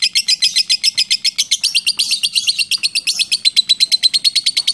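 A lovebird delivers a long, fast chattering trill of sharp, high ticking notes, about five per second, running steadily without a break.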